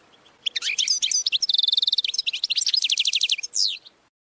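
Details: Goldfinch training song: a lively high twittering phrase with an even, rapid buzzy trill in the middle, followed by more quick chirps and a falling slur, about three and a half seconds.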